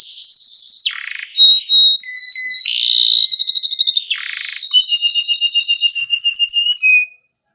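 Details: Canary in long song used for baiting and mastering: trilled phrases alternate with harsh buzzy bursts, then steady strings of rapid repeated chirps and a final falling note.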